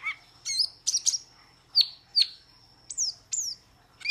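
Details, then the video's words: Metallic starling with loud, piercing chirps and high, clear whistles that slide sharply downward, repeated in pairs with short pauses. "Metallic Starling Aplonis Sounds ! Metallic Starling Aplonis Song Metallic Starling Aplonis Call !"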